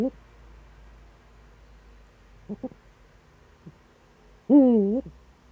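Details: Early-morning Eurasian eagle-owl, Eifel, 26 September 2013: quiet stretch with a few faint knocks, then a single loud, full, wavering hoot lasting about half a second.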